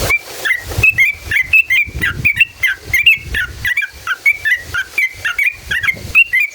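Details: Yellow-vented bulbul in lively song of the long ngalas ropel style, meant to provoke other bulbuls: steady series of bright, bubbly, slurred chirps repeated well over once per second throughout.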